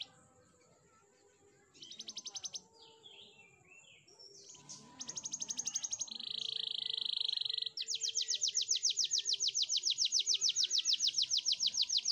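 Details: Canary song used for training, with rapid repeated trills high in pitch: a short trill, varied chirps, a steady buzzy roll around two seconds long, then a long fast rhythmic trill to the end.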